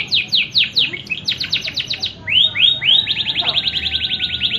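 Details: Canary in full song, with crisp repeated sweeps that speed up into a very fast, even trill held for over a second at the end.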